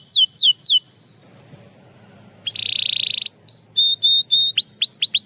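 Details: Belgian canary singing: three quick falling whistles, a pause, then a buzzy steady trill, then clear level whistled notes and a burst of rapid falling sweeps at the end.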